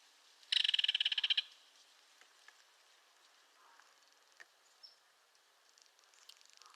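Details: A single loud, rapid rattle from a belted kingfisher, a burst of harsh notes lasting about one second, then near quiet with faint scattered ticks.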